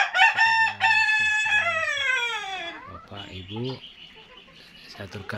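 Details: A bred Kokok Balenggek rooster from West Sumatra gives a loud, harmonic crow that slides downward at the end.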